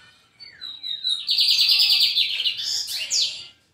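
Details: Lined seedeater from João Pessoa singing: a rapid buzzy trill of repeated notes, preceded by soft descending slurred whistles and ending with a few sharp rising notes.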